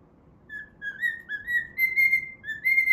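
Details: Singing while at play, a pet cockatiel gives a quick series of clear whistles that step upward and end on higher sustained notes, from its version of the Pitagora Switch opening theme.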